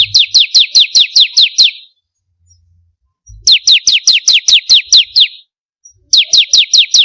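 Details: Bar-winged prinia singing, used as a lure so kept birds start to sing: three bursts of rapid, evenly spaced downslurred notes, seven to nine per burst, separated by short silences.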